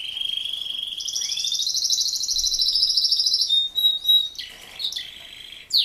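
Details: Male Raza Española canary in song: a fast rolling trill that climbs gradually in pitch, then a thin sustained whistle and several short, varied chirps, with a sharp note at the close.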